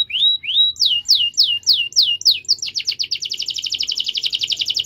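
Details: Canary song intended to get silent canaries singing: a series of loud downslurred whistled chirps at about three per second, breaking into a fast, continuous rolling trill.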